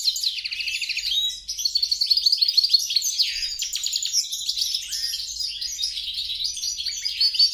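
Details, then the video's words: Goldfinch hybrid of Carduelis carduelis and Carduelis caniceps opens with a fast buzzing trill, then continues with varied twittering phrases, chirps and short whistles. "bastard, mule, carduelis carduelis x carduelis caniceps."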